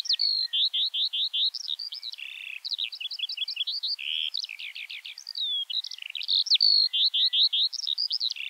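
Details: Eurasian skylark pouring out a long run of song: bursts of rapid repeated chirps, rattling trills and brief slurred whistles, varying constantly, with slight background hiss.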